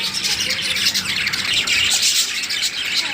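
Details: Budgerigars, Australian parrots in a breeding pair, keep up steady, overlapping high-pitched chirping and scratchy squawks for the whole stretch, with a faint low hum underneath.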